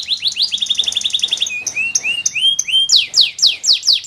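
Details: Canary song in quick-changing phrases: a rapid trill of high notes, then upward-sweeping whistles, then loud descending swoops repeated about four times per second.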